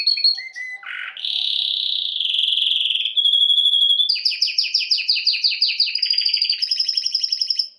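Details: Canary song opening with short chirps and a low dip, then long steady buzzy trills and a fast pulsed two-toned rattle repeated several times a second.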